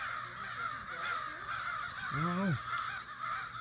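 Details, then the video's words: Neighborhood crows hold a loud morning gathering in a Sudbury backyard: constant harsh cawing from a large group fills the background while a man speaks briefly over the din. "Crow convention in Sudbury"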